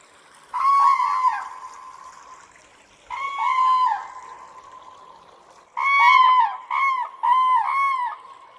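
Loud, bugling crane calls with a rich harmonic tone, given in three bursts, the last as a quick run of separate notes; a soft trickle of water underneath.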